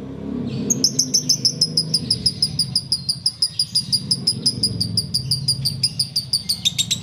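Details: Sooty-headed bulbul in ngekek style, a long series of piercing, high, clicking notes repeated around three per second, slightly falling in pitch toward the end, over low background hum.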